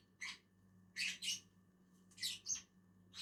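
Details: Two lovebirds (Agapornis) eating on a tree utter a few short, harsh, high-pitched squawks in pairs with brief quiet gaps.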